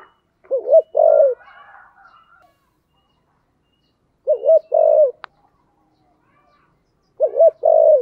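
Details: Spotted dove repeating its giọng thổ song three times, roughly every three seconds. Each phrase is a trembling double coo and then a longer mellow coo. One sharp click is heard.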